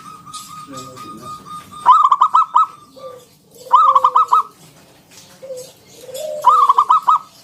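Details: Local zebra dove giving ngalun song with a round 'kung', used to prompt other doves to sing: three evenly spaced phrases, each a rapid chatter of bright notes sliding into a soft, falling low coo.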